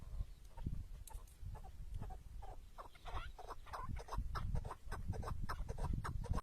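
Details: Tethered decoy chukar partridge in the wild during a hunt, giving short clucking notes in quick runs, loudest through the middle, over heavy low rumbling wind or handling noise and scattered clicks.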